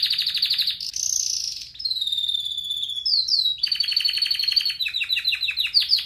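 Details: Red factor canary singing for training: a fast trill, a rising-then-level whistle, long pure falling tones with harmonics, a sharp swoop, then rapid pulsed trills and descending chirps.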